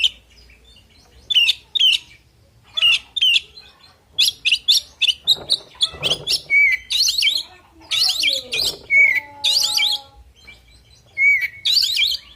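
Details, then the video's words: Oriental magpie-robin in fighting song, quick series of chipping notes and scratchy warbles with occasional pure whistles, mixed with lower twittering from another bird and some rustling. "Suara Burung Kacer Full Isian Tarung Bikin Emosi"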